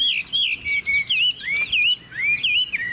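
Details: Chinese hwamei, a caged bird from Vietnam noted for good song, gives a few loud, pure whistles with looping, swooping pitch and short gaps between them.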